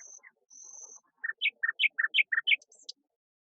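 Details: A common nightingale, said to mimic many birds, sings a varied phrase: long high whistles, then brisk alternating two-tone chirps about six per second, ending in thin very high notes.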